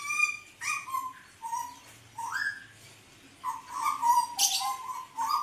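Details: Hooded butcherbird of the 'blorok' form singing: mellow fluting whistles, some held level, others swooping upward, strung into an unhurried phrase with a short harsh burst near the end, recorded in a quiet room.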